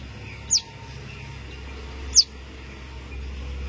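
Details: Baby Common Tailorbird that fell from the nest, calling in hope its mother will find it: two short, very high, falling chirps well apart, over a steady low rumble.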